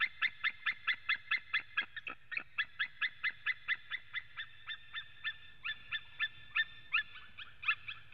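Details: ['Male white-tailed eagle calling at a webcam nest in Latvia on 23 September 2017 at 14:12, with another male also calling. Rapid repeated yelping notes, about two to three per second, break briefly midway and then resume. A low hum runs underneath.']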